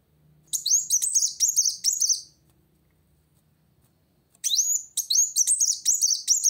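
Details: Van Hasselt's sunbird, singing to challenge a rival, delivers a high twittering phrase, pauses about two seconds, then resumes with a rising whistle and more quick chatter.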